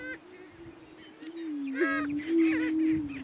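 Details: On a lek in northeast Kansas, two male Greater Prairie Chickens contest dominance: a continuous low booming tone persists, with a loud burst of harsh cackles and nasal whoops rising midway.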